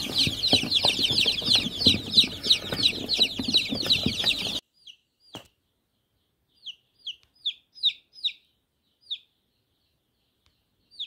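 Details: Chicks in a busy chorus of rapid high cheeps that cuts off after about four seconds, followed by a handful of isolated single downslurred peeps in near silence.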